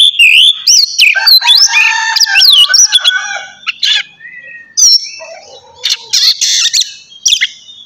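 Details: White-rumped shama, locally kacer, in a morning recording used to stimulate other shamas to sing; loud, rich varied song of rapid whistles, sweeping slurs and sharp chips, with quieter lower warbling phrases between bursts.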